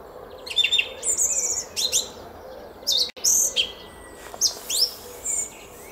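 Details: Song thrush in a Hungarian garden at Szalkszentmárton, early morning 06:15, 10 April 2021: varied high whistled and chattering phrases in separate bursts, some with rising slurred notes, a short dropout midway.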